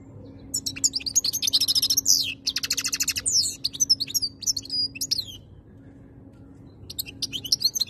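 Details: Song of a caged European goldfinch in Algeria: a long run of fast metallic twitters and buzzy trilled phrases, a short pause, then renewed twittering, with steady low hum underneath.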